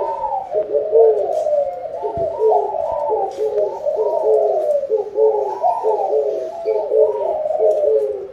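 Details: A steady chorus of spotted doves, heard as calling for a good harvest, gives continuous overlapping coos, low and hollow, with notes dipping at their ends and no clear pauses.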